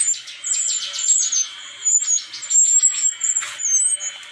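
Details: Brown-chested jungle flycatcher from Bali giving a continuous high chattering song of thin whistles and rapid twittered notes, with no clear break throughout.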